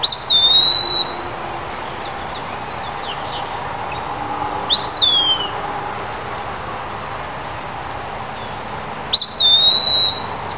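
An Eastern Wood-Pewee sings three clear, high, slurred whistles, each about a second long and spaced about four seconds apart, over a soft background hush.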